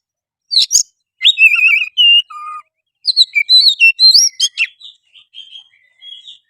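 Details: Oriental magpie-robin song meant to provoke rivals into singing, fighting and spreading their tails: sharp chips, then rich warbled whistles rising and falling, a lower drawn note, and a lively run trailing into soft fading notes.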